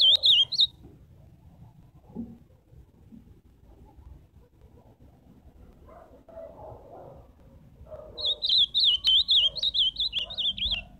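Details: Ultramarine grosbeak song: a short warbled burst at the start, then after a quieter gap a longer run of rapid, wavering whistles lasting about three seconds. Low soft background sounds are heard between phrases.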